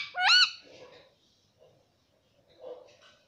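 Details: Pet parrot talking, saying "Mummy": one short, loud, harmonic-rich vocal at the start that dips and rises, then faint low murmurs and a soft sound near the end.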